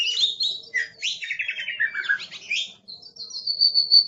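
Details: Oriental magpie-robin (kacer), an aggressive kept songbird, singing fast descending trills and harsh chattering phrases, ending in a long high steady whistle.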